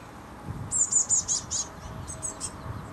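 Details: Fledgling Eurasian blue tit waiting for food among bushes, Canon HV20 camcorder: a quick run of five piercing, thin begging notes, followed by three fainter echoing ones, over quiet background rumble.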